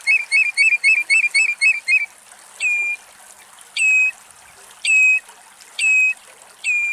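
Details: Spur-winged lapwing (Vanellus spinosus) in Greece calling: a fast run of about eight sharp, metallic notes, then single ringing, clipped notes about once a second over a faint hiss.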